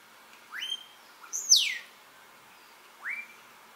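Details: Melodious blackbird singing at Xpujil, Mexico: a rising whistle, then a loud, sharp whistle sliding steeply downward, and after a pause another short rising whistled note, over a faint steady hiss.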